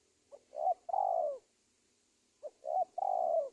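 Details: Trapping lure sound of a spotted dove from Indonesia, played to draw wild doves: two identical phrases, each a soft pickup note, a hooting coo and a drawn-out falling coo, with a faint steady high hiss.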